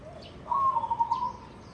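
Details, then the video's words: Zebra dove, a white-barred red-eyed bird: a single smooth trilled coo, level and slightly wavering, lasting under a second, with faint chirps of other birds. "perkutut putih lurik mata merah"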